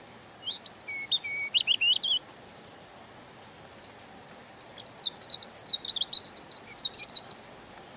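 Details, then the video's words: A European robin (Erithacus rubecula) sings two gentle, high, thin warbling phrases of varied trills and slurred notes, split by a pause of a few seconds, over a faint background hiss. "Ласковое пение Зарянки(малиновки)"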